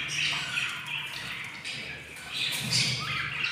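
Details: Hungry albino lovebird chicks, four hatched, at fifteen days old, give harsh, raspy squeaks that run almost without pause, rising and falling in loudness, over a steady low hum.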